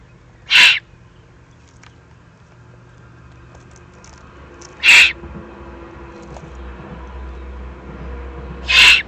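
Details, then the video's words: Eurasian eagle-owl youngsters, excited, Eifel, 21 June 2020. Three rasping, breathy screeches, each short and noisy, spaced roughly four seconds apart, with a low steady hum underneath. "Eifel Uhu, 2020-06-21, aufgeregte Junguhus"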